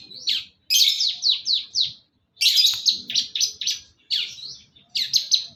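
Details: Long-tailed shrike, East Java, singing full isian: quick runs of descending chirped notes, five or six per burst, separated by short silences, the bursts loud and slightly rasping.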